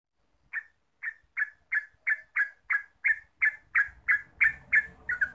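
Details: Yellow-vented bulbul (Pycnonotus goiavier), known locally as trucuk, on a lure recording meant to make birds sing nonstop: evenly spaced short chirped notes, about three per second, growing louder, with a low rumbling noise rising near the end.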